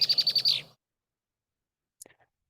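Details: Female Red-winged Blackbird song, identifying her as a female: a quick, high, harsh chatter of about six rapid notes in under a second, then silence and a few faint clicks.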